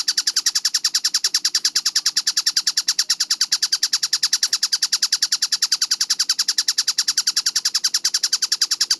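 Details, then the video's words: Tengkek buto kingfisher in full, clear voice on a fast-tempo training recording. Harsh, clipped notes repeat in a tight, regular chain of roughly three per second with no pauses. "MASTERAN TENGKEK BUTO GACOR SUARA JERNIH SPEED RAPAT"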